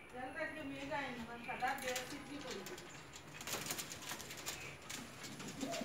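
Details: Pigeons in a colony coo in soft, wavering, throaty notes, with a man's voice and wing flaps nearby.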